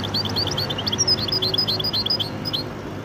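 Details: Hybrid of goldfinch and canary singing a lively stream of high, sharp twittered notes, some higher clear whistles woven in, running for over two seconds against a faint hum.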